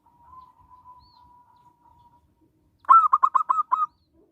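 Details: Local zebra dove used as a lure for other zebra doves and for trapping: a long faint steady whistled tone, then a quick burst of about six crisp staccato coos.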